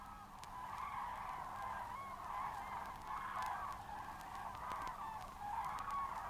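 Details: A flock of common cranes at Matsalu, Estonia, in a 1979 field recording gives a steady chorus of loud, rolling, overlapping trumpeting calls with a faint low hum underneath.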